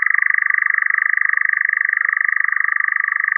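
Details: European nightjar singing: an unbroken, dry, mechanical churring trill of rapid pulses held at a steady mid pitch with a faint lower band, continuing without pause and with no other sounds.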